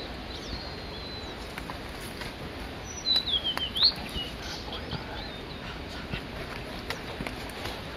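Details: A male blue-and-white flycatcher on Migitagatake, Japan, during a long solo singing performance, gives a brief, clear, high whistled phrase that sweeps down and back up, over steady background hiss and faint distant sounds.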